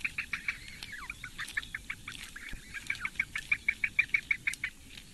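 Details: Four Eurasian bittern chicks begging during a morning feed by the female at a Latvian reedbed nest, Lake Engure, 15 May 2017. Clear, sharp chip notes, irregular at first, then a crisp even series of about three per second.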